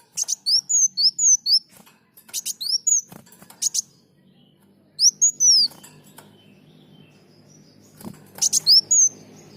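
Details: Energetic olive-backed sunbird in a tutor track for caged birds: repeated phrases opening with buzzy rasps and running into quick, high, sliding whistled notes, with a faint low hum beneath.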